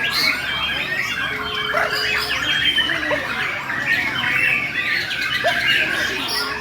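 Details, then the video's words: Aggressive fighting-style singing by a Bornean white-rumped shama: varied chirps, sharp whistles and scratchy notes in quick succession, with short dipping whistles at intervals. "Burung Murai Borneo Main Akgresif Volume Dan Gaya Sangat Sangat Apik."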